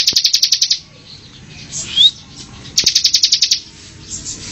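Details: Semi song of the Bar-winged prinia (ciblek), recorded for cage-bird training. Two short bursts of rapid, piercing trill are separated by a quiet stretch holding one thin rising note.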